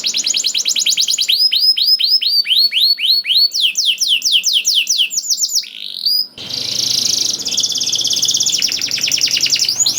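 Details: Canary singing to coax other canaries into song: fast trills and curving whistles, a rising slur, then a noisier, harsh continuous trill section with broadband hiss underneath.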